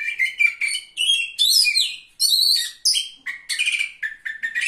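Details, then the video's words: Caged Oriental magpie-robin at a bird singing contest, where it placed third, singing loudly and continuously: varied whistled phrases jumping between mid and very high pitches, rich mimicry-like notes with rapid changes, little background noise. "KACER GACOR JUARA 3"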